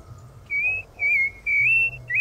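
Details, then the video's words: Loud song of a rufous-bellied thrush: four pure, level whistled notes, the last one rising sharply, spaced by short pauses over a quiet low background hum. "CANTO FORTE DA SABIÁ LARANJEIRA"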